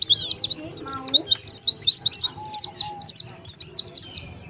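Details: Oriental white-eye lure call used to draw wild birds together: a fast, unbroken run of high, thin zigzag chirps, about three per second, with faint lower whistles and a low hum underneath.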